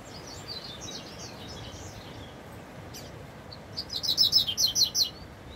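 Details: Wild double-collared seedeater in scrub: soft high twittering at first, then a bright burst of rapid, repeated sharp chirps about seven in a row, with faint background hiss throughout.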